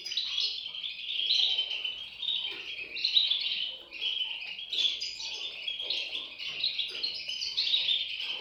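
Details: Several European goldfinch chicks calling together in a dense, unbroken stream of thin, high twittering notes that swells and dips in short waves.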